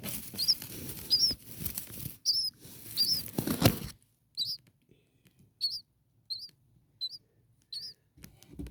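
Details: Six four-day-old common starling nestlings huddled together in a nest on a cool night, waiting to be fed: thin, high, short peeps repeated roughly every second, over rustling and shuffling in the nest during the first half.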